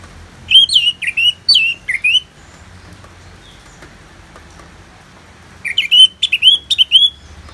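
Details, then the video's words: Orange-headed thrush singing ngeplong in a therapy recording with natural rain sounds: about five loud, swooping whistled notes, a pause of roughly three seconds, then another run of looping whistles, with faint hiss throughout. "Terapi ANIS MERAH Ngeplong dan Suara Hujan ALAMI"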